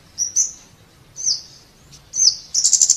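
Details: Scarlet-backed flowerpecker giving a few very high, thin, slurred tsee notes spaced about a second apart, ending in a quick high rattling trill.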